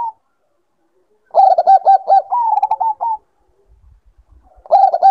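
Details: Bangkok zebra dove in breeding condition: after a pause, a rapid series of clipped coos, the second half slightly higher, then a quiet gap with faint low knocks before the next series starts.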